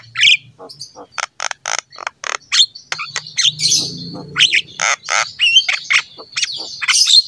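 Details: Black-winged myna singing vigorously as training material for other mynas: a fast run of short harsh chips, a longer hoarse rasping phrase, then scratchy squawks and thin high whistles, with a faint low hum underneath.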